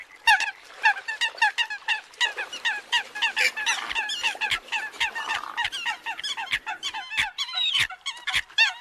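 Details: Flock of Eurasian coots during the new bird migration season, a dense unbroken chorus of nasal honks and clipped kowk notes from many birds overlapping, with sharp clicks scattered throughout.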